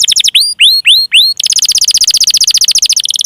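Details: Canary singing meant to coax silent, reluctant or juvenile canaries to start: a few clipped notes, then four loud upward-curving whistles, followed by a long, very fast, even trill.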